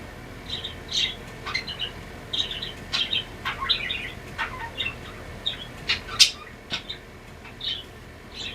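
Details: Two pet budgerigars singing together: a lively warble of short, bright chirps and twittering notes repeated in quick bursts, with a few sharper clicks, over a quiet room background.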